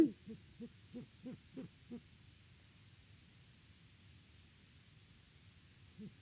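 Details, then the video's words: Wild great horned owls at a farm nest in Peabody, Kansas, October 2023. A quiet series of six short, low hoots is evenly spaced about every third of a second, then a long pause and one more soft hoot. "HootFest @ the Nest!"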